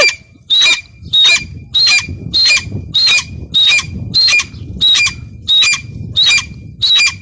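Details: Female teetar, the grey francolin, uttering a steady, very regular series of piercing high squawks, about one every 0.6 seconds, with a soft low hum behind.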